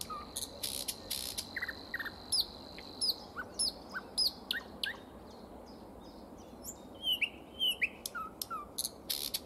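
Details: Common nightingale singing in spring: a varied sequence of high sharp notes, quick whistled slurs and short repeated phrases over a steady background hiss, with a strong broadband buzz early on.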